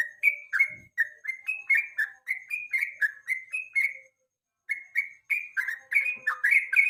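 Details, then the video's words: Yellow-vented bulbul singing in the evening, a lure song used to tutor songbirds for national contests: a rapid run of bright, slurred whistled notes, about three to four a second, broken by a short pause midway before resuming. "KICAU PANCINGAN BURUNG TRUCUK SORE HARI"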